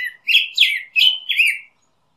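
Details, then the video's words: A Black-headed grosbeak delivers a short string of four mellow, slurred whistles, sweeping up then down, ending abruptly into quiet. "Picogrueso Pechicafé Canto - Black-headed Grosbeak Bird Song"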